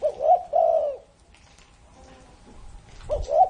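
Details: Over-thirty-year-old spotted dove finishing a phrase of two deep, burry coos, then pausing about two seconds before starting another with a rising note and a low coo.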